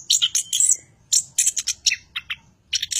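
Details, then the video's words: Chestnut-capped thrush (anis kembang, Geokichla interpres) in energetic 'ocehan panas' chattering song: short bursts of high, scratchy, varied twittering notes in quick clusters, separated by brief pauses, with a faint low hum underneath. "anis kembang ocehan panas"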